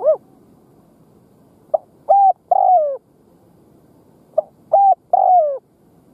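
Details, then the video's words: Caged decoy spotted dove cooing to attract wild doves, repeating a phrase of a brief lead note, a level coo and a long falling coo, about every two and a half seconds. "Tiếng Gù Gáy kích bổi nghe là gáy / Chim cu mồi gù gáy kích bổi"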